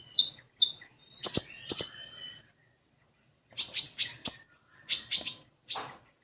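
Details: Common iora, played to coax young untrained caged ioras into singing: short bright chirps, a buzzy trill, then two groups of sharp high notes separated by a second of silence.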